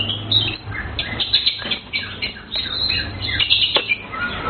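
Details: A blue cucak keling sings a busy, continuous stream of bright chirps and twittering notes, with a faint low hum underneath.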